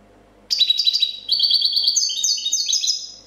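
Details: European goldfinch singing a clean copia-style song from 2014, described as a champion's: a quick run of bright, tinkling twitters and trills, high-pitched and liquid, with notes tumbling over each other for about three seconds.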